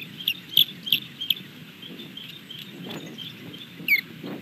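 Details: Female osprey alerting at her nest in Montana on 27 May 2022 around 11:27, after eating a fish on a pole, claiming nest and fish. Four sharp, high chirped notes in quick succession, then a later short whistle over wind-like rumbling noise. Nest-camera recording.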